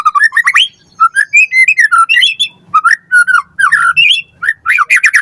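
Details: Captive-bird training lure of white-rumped shama song: bright whistled notes climbing in quick succession, warbling phrases, and clusters of sharp high notes, delivered almost nonstop.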